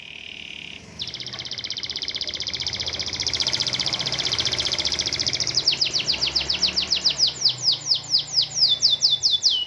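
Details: Domestic canary with an unusual song: a long, steady, high buzzing trill lasting about five seconds, then a run of sharp descending whistled notes repeated nearly four per second, with faint low background noise.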